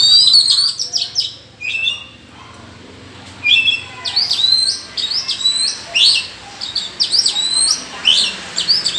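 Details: Wild Oriental magpie-robin in a forest, singing in a duel against rivals: bright, varied phrases of high whistles and sweeping slurred notes, delivered in bursts with a short pause near the start.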